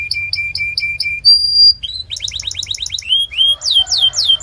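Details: Canary song for training other canaries: evenly spaced double chips, a pure high whistle, a fast run of repeated notes, then slow downward-swooping whistles.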